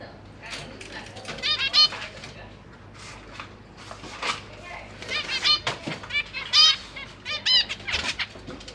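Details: Recorded in a big cage on a GoPro Hero 8 in January 2023, zebra finch parents feed three juveniles and three fledglings; nasal, tinny calls come in loose clusters, some rapid, against a faint low hum.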